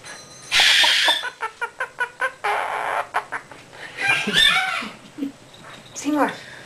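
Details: Quaker parrot at home practicing chatty talk: a rasping squawk, a fast run of short pulsed notes, a buzzy drawn-out call, then falling chirps and a final harsh squawk.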